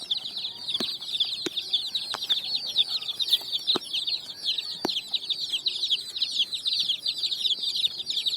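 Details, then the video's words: Group of colored chicks feeding on sand in the evening, producing a dense layer of high, sharp peeps, quickly repeated and overlapping, broken by a few sharp clicks or taps. "Chicks Chirping"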